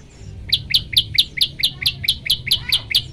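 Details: Olive-backed tailorbird song meant to trigger other birds: around twelve bright, sharp chirps repeated at a steady, quick pace, each note a brief descending slur, against a low background hum.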